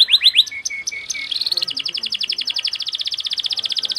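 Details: Canary song in the fast, tightly packed cengkok style used for tutoring: a few rising whistled notes and short chirps, then a long rapid trill of repeated upswept notes, very dense and high.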